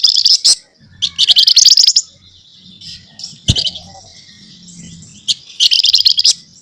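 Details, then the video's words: Scaly-breasted munia in full, talkative nyerecet voice: loud buzzy rattling bursts of chatter separated by quieter pauses, with a low background hum and one sharp knock. "Burung FLAMBOYAN GACOR Nyerecet Cerewet Merepet"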